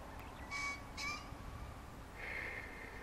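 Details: A green pheasant calling while feeding in a field around 5:20 am on 17 May 2017 gives two quick, harsh, ringing notes about half a second apart, then a shorter, thinner note, over a low rumble.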